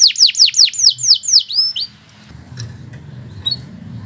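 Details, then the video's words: Canary singing in energetic gacor style, suited as a master song for tutoring other birds: a run of about eight rapid, high, downward-sweeping whistled notes that stops halfway, followed by faint low hum. "Kicau Burung Kenari II GACOR PANJANG"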